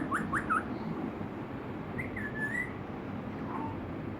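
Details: Rosella whistling: a few quick rising whistled notes at the start, then a longer wavering whistle that dips and rises, and a soft low whistle near the end over steady background hiss.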